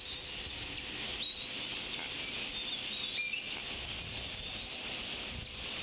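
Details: Young bald eagles at the Decorah nest, 10 June 2016, squee in a chorus while they wing-wrestle over a fish just delivered by the father: thin, high squeals sliding up and down, repeated about every second, over a steady hiss.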